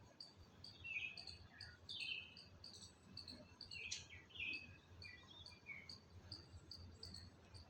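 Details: Beside a Madhu kamini in full bloom, several birds twitter: bright, high chirps repeated rapidly, with a few louder, buzzy bursts in the middle over a soft low hum.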